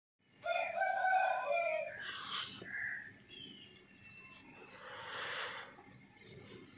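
A rooster gives one loud, harsh crow lasting about a second and a half, followed by softer clucks and rustling, with crickets ticking steadily throughout.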